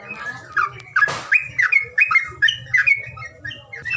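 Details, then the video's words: Bird calls used to coax birds that are reluctant to sing: harsh, squawky chirps repeated about twice a second, one broad noisy burst near the start, and a faint low hum. "SUWARA PANGILAN BURUNG MALES BUNYI"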